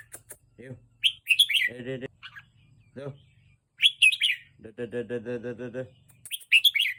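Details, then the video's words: Caged red-whiskered bulbul excited by teasing: bright, high chirpy phrases of quick warbled notes come in short bursts, alternating with a person's voice making rhythmic low sounds nearby, indoors. "ร้องเล่นเต้นริ๊ก😍🦅 ยั่วนกให้นกคึก"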